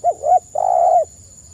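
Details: Spotted dove in full voice, used as a lure to make other spotted doves answer: two short mellow coos followed by one long, arched, drawn-out coo, with a steady faint high-pitched whine in the background.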